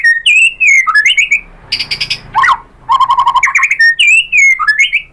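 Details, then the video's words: White-rumped shama delivering rich, varied song to get other shamas to respond: bright slurred whistles, a buzzy burst and sharp downslide mid-phrase, then quick chattering notes and more rising-falling whistles. "SUARA MURAI BATU bikin BUNYI jadi NYAUT GACOR"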